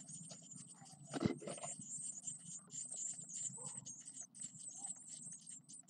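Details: Ten Eurasian blue tit chicks, nine days old, give a dense stream of very high, thin chirps throughout, with one loud knock near the start and low background rumble.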